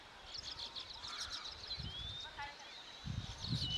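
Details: Wild Indian silverbills building a nest in India give thin, high chips and short sliding whistles in a busy scatter, over low rumbling background noise.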